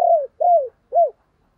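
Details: Spotted dove kept as a decoy bird to provoke other doves into cooing: three short, mellow coo notes, each swelling then sliding downward, separated by brief silences, in a quiet setting.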